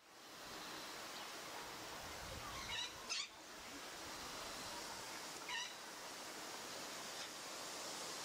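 A male palm cockatoo gives three brief, rising, nasal whistled calls, two close together then one a few seconds later, over a steady hiss of background noise.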